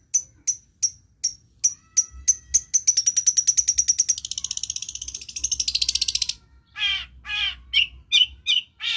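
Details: Mimicking long-tailed shrike, a lure for birds that have gone quiet: evenly spaced high ticks speed into a rapid rattling trill, then a hissing buzz, ending with harsh, slurred chattering calls.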